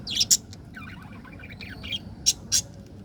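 Budgerigars chirp in bright, high squeaky bursts, with a soft jumble of warbling chatter between the louder notes.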